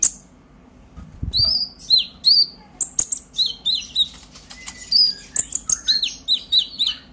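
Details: Purple-throated sunbird singing an emotional chatter meant to provoke untrained birds: after a brief wing flutter, repeated very high, down-slurred squeaks and chips arrive in quick pulses, growing denser toward the end.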